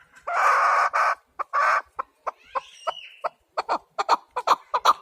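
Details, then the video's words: A chukar partridge's clucking: after two broad, hoarse bursts and a faint whistle-like sweep, a run of sharp chuk notes rises in loudness and pace. "Кабки сурак кариб маст шавад Keklik الحجل Куропатка Partridge"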